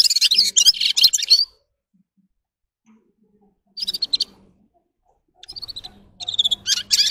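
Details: Red-fronted serin giving short bursts of high, jingling twittering song separated by silent pauses of one to two seconds, with a faint low hum behind.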